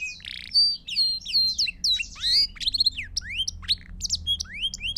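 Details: Pure Belgian canary song played to train young birds and teach new songs: bright, fast-changing phrases of rising and falling whistled slurs and quick chirps, with a soft background hum.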